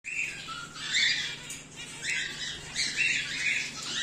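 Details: Home-bred cockatiels, including whiteface emerald and exhibition grey male birds, give harsh raspy squawks in uneven bursts, louder around the first and third seconds, with a steady low hum underneath.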